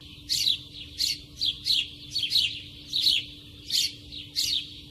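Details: Sparrows among over 30 nesting for about eight years year-round at a farmer's house in a border village near Madhugiri, Karnataka. They give bright, high chirps in quick bursts, about one and a half a second, over a faint steady hum.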